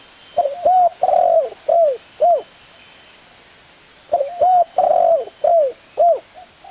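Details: Spotted dove giving two full cooing phrases, each several mellow arched hoots with a longer coo near the start, separated by about two seconds of quiet hiss.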